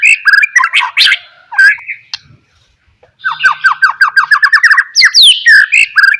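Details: Lure song of a White-rumped shama for triggering other shamas: a dense, scratchy warble, a short silence, then a rapid series of downslurred whistles, about two per second, closing with bright upsweeping notes.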